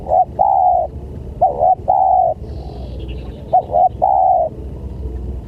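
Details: Spotted dove lure call to attract other doves, with three loud phrases in quick succession, each a pair of short rising coos and a longer flat coo, against steady low background rumble.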